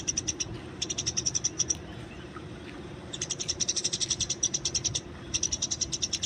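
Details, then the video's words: Wild Eurasian tree sparrow, fighting, recorded outdoors as tutor material for training birds: three bursts of rapid, high, sharp chirps, each about a second or more long, fast and evenly spaced, over a steady low hum. "masteran burung gereja di alam bebas"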